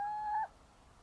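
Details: A little owl gives a single clear, fairly low whistled note, steady then slightly rising, lasting under half a second before quiet.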